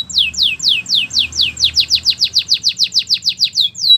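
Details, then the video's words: Canary training song for warming up a Belgian canary: high, fast descending whistled notes repeated about five times a second in a steady roll, over a faint low hum. "Warm up your belgian canary!! The best canary training"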